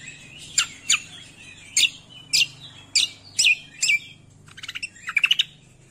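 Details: Cucak kombo song used as training material for songbirds: sharp, loud descending chirps roughly every half second, ending in a quick burst of rapid trilled notes.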